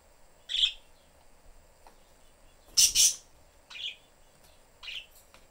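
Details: Pet budgerigar family of father, mother and young in a cage with its door open, the young seeking attention; four sharp high chirps, one louder doubled burst near the middle, spaced about a second apart over quiet background.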